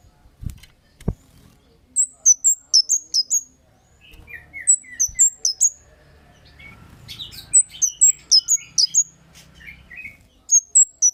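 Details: Kemade lure call used to make other birds respond: clusters of shrill, high downslurred chirps, several rapid runs, with a few lower, softer chirps between them and two sharp knocks at the start.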